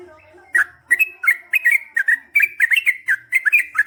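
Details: Yellow-vented bulbul in lively gacor song, long ropel-style delivery, given as a lure to make other bulbuls answer: bright chirpy two- and three-note bubbling phrases in quick succession after a quiet start, faint low hum beneath.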